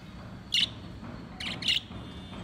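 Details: Four pet lovebirds kept at home that play together: a few short, sharp high chirps, a single one then a quick pair, over a steady low indoor hum.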